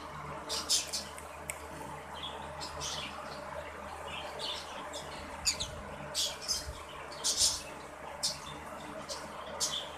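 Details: Short, rasping screeches from a red-bellied green-cheeked conure breeding pair come in scattered bursts roughly every second, some doubled, against a faint constant background hum.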